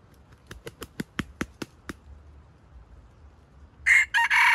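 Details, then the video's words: Trap-bait junglefowl calling for wild chickens: a run of sharp dry clicks or taps, then a loud, harsh, clipped crow broken into three bursts at the end. "Trap wild chicken with stuttering bait is fascinating"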